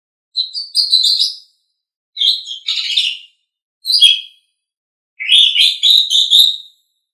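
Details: Asian pied starling song used for training songbirds: four bursts of harsh, scratchy, chattering notes, each about a second long, separated by brief silences, high and grating with no other sounds.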